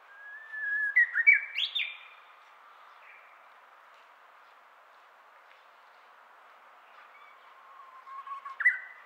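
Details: Japanese bush warbler singing in the early morning, its first song heard in 2023: a long steady low whistle rising into a quick bright flourish, then a quiet pause and the start of another phrase near the end.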